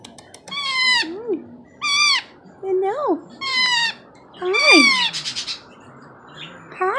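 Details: A baby Indian ringneck parakeet about four months old cries for attention indoors after being fed and cuddled. Harsh, descending squawks with rich overtones come every second or so, mixed with lower bending whines.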